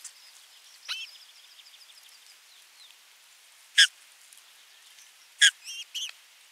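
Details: Osprey at nest 3, 27 June 2022, during a fish delivery and feeding: two loud, piercing whistles several seconds apart followed by a couple of quick shrill chirps, with soft chatter early on.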